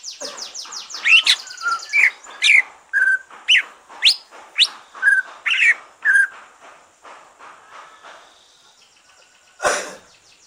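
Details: Green leafbird finished moulting, singing to stimulate other leafbirds: a steady series of loud sharp chirps and whistles, about two per second, fading out, then a single harsh noisy burst.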